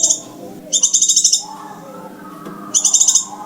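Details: Scarlet minivet lure call used for trapping: short bursts of fast, high, metallic trilled pulses, two full series with a gap of soft low background noise between them.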